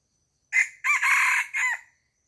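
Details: Chicken farm rooster giving a single crow, a short first syllable, then a drawn-out hoarse middle and a downward-sliding end note, ringing clearly against near silence.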